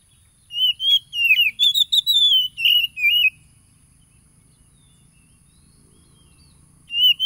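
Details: Oriental magpie-robin song from East Lampung, Indonesia, phone-recorded 30 July 2022 to stir mute caged birds: a burst of fast, varied whistles and chattering upslurs for nearly three seconds, long quiet gap, then a new whistle starts; faint high whine throughout.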